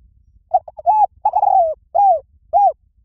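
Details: Spotted dove call played as a decoy to lure wild doves. A low, mellow cooing phrase: two quick short coos and a stuttered note, then a long arched coo, a longer falling coo, and two separate rounded coos. The background is quiet.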